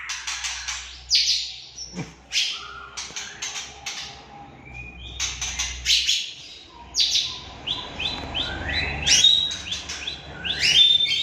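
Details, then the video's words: Aceh white-rumped shama singing a fast, varied high song of sharp chips, rattles and clear whistled slurs in quick succession, over a low background rumble. "Murai Batu Aceh"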